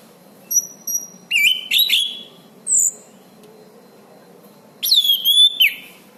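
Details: Orange-banded thrush (anis cendana) in lively song, used as master material for tutoring songbirds; high thin whistles and sharp bursts of slurred, chattering notes separated by pauses, ending in a strong rapid series of falling and rising whistles.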